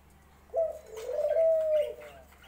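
A dove gives a single soft, hollow coo, low and drawn out for over a second, with a faint room hum underneath.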